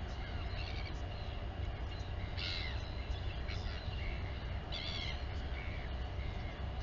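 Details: Live nest camera at Taiaroa Head near Dunedin, New Zealand: a Royal albatross mother feeding the chick, with several short, strained, harmonic squeaks scattered through the clip, half buried under a persistent low wind roar.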